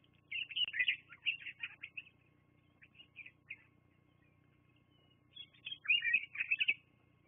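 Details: Bald eagles on the nest at Fraser Point, captured by a live camera on 24 September 2022 near 12:14; high, squeaky piping notes in quick uneven runs, fading out midway before a louder closing flurry.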